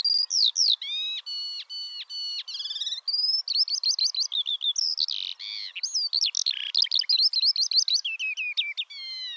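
A Eurasian skylark pours out a long, unbroken stream of rapid, high chirps, trills and buzzy whistles, shifting constantly with no pauses.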